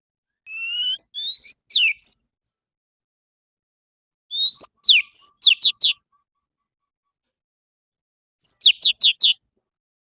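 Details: Morning lure recording of orange-headed thrush song for prompting caged birds: three bursts of sharp, steeply falling high whistles and buzzy notes, separated by pauses of about two seconds, with a faint low steady tone in between.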